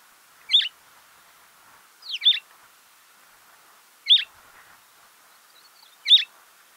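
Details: Cape sparrow in a garden in Gauteng, South Africa: short high chirps, each a quick downward-sweeping note, repeated about every two seconds, four in total, over a faint steady background hum.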